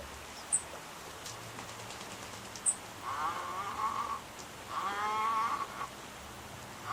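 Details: Wild Little Egret in a fight, letting out two prolonged, grating croaks one after the other, the second louder. Brief high chirps of other birds are heard earlier.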